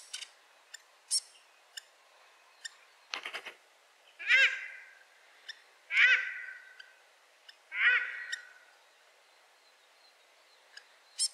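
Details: In late autumn in the Maungakotukutuku Valley, New Zealand, a female Paradise Shelduck gives three shrill, harsh honking calls about two seconds apart, with thin sharp chips from a very close fantail between them.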